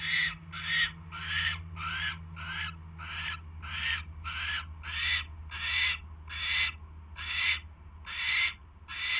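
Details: Nest owl on the evening of 29 January 2016 when a mouse is delivered: coarse, wheezy hissing bursts, some with a rising edge, repeated about one and a half times per second over a low hum.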